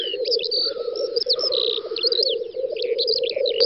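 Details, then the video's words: Black grouse lekking on a spring field in western Russia (Volga federal district), 9–10 May 2019, keep up a continuous low, bubbling rookoo, while thin whistles and chirps from other birds sound above it. "Тетерев-косач токует"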